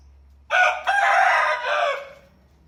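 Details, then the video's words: A rooster crows, one of several kinds of crowing: brief first syllable, a tiny gap, then a long strained harmonic crow of about one and a half seconds, with a low steady hum beneath. "Bermacam-macam suara ayam berkokok"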